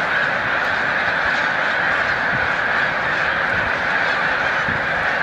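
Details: Thousands of honks from a migrating snow goose flock at Montezuma, New York, on 7 March 2022 as birds take flight; a seamless, roaring chorus with no pauses.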